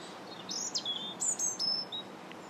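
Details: Robin singing in January: thin, high warbled phrases with sharp upward and downward slides, delivered in short bursts over a steady low background hiss.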